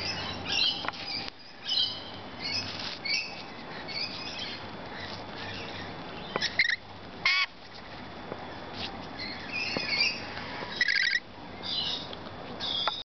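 Lorikeets give shrill, scratchy screeches and chattering squawks in irregular bursts over a steady hiss of background noise.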